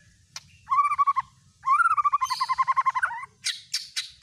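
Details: Lure song of a white-rumped shama meant to stir another bird into singing: rapid trilled phrases of repeated warbled notes, two long rattling series, then sharp high clicks at the close.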